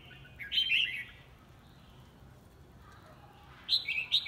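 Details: Red-whiskered bulbul in competitive singing: a bright, warbled whistled phrase near the start, a quiet pause, then another short, rising and falling burst of notes at the end over faint background hiss.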